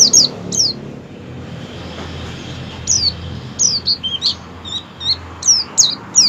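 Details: Oriental white-eye in a 'ngerol' rolling song with wild-style 'ngalas' phrasing, used as a lure to make white-eyes sing. Scattered high, thin, down-slurred chirps, some in quick pairs, over a steady low background hum.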